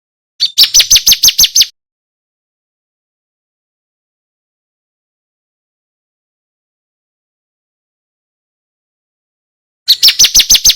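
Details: Bar-winged prinia, 'kristal' type tutor song for contest birds: two brief bursts of rapid, high, downslurred notes, each about a second long, separated by roughly eight seconds of silence.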